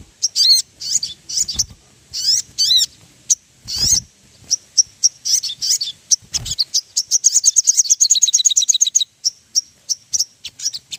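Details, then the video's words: Ruby-throated bulbul song played as a lure: loud trilled phrases with sweeping notes, then a long, fast series of high repeated chirps and scattered closing notes. "PANCINGAN SOGON PALING AMPUH SEKALI DENGAR BURUNG LANGSUNG NEMBAK"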